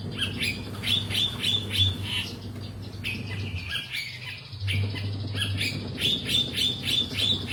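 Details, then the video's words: Energetic long-tailed shrike singing rapid runs of thin, high repeated notes that blend into rattling chatter, with a brief pause mid-phrase, over a persistent low droning hum. "BURUNG CENDET GACOR"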